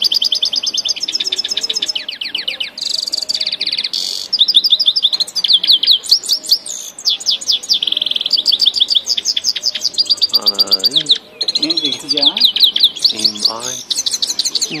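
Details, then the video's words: Grey-headed goldfinch from Tajikistan singing a long, rapid, high-pitched song of liquid twitters, buzzy trills and sharp chirps run together almost without pause, with a few lower, warbled phrases near the end. "singing Gray headed Goldfinch"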